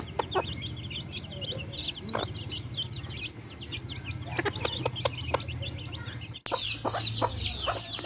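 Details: Chicks with backyard hens peep almost nonstop in high, falling notes, broken by occasional clucks that come in a burst near the end; a low hum runs underneath.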